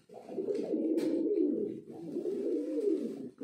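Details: Pigeon giving two long, deep, throaty rolling coos separated by a brief pause, each swelling and wavering in pitch.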